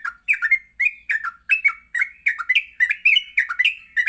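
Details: Vigorous morning singing of a yellow-vented bulbul, meant to train bulbuls to learn sounds and ngropel: dense, chattering run of warbled, slurred whistles with scratchy edges, almost unbroken, over a steady high hiss.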